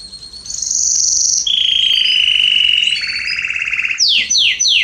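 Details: Canary singing in a garden in September 2020: long sustained whistled notes and buzzy trills at high pitch, ending with three quick descending slurred notes.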